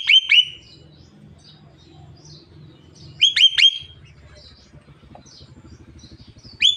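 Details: Javan myna, a caged bird said to talk until it coughs, gives bursts of two to three sharp whistled notes about every three seconds over a low steady mechanical hum.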